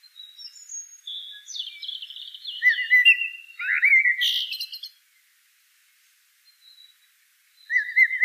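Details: Common blackbird song: mellow fluted warbling phrases, some sliding downward, mixed with thin high twittering notes. A pause follows, then another short fluted phrase begins near the end.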